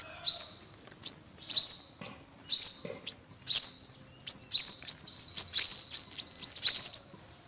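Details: Olive-backed sunbird giving a steeply rising, thin whistle about once a second, four or five times, then breaking into a sustained, rapid high trill.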